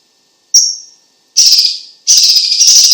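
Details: Chinese leafbird (cucak ijo cina, also called cucak cungkok) singing vigorously, as used for tutoring and prompting other birds: one thin high whistle, then two loud, harsh, buzzy trills that fade away.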